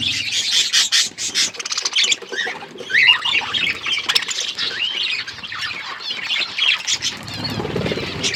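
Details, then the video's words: Budgerigars in an outdoor aviary keep up a long, rambling chatter of squawks, chirps and wavering whistles from several birds, with faint rustling. "Budgies in my outdoor aviary birds chirping sound"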